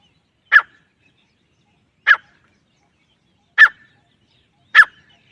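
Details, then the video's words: Grey francolin calling, four sharp, harsh single notes spaced about one to one and a half seconds apart against a silent background. "teetar sound effect"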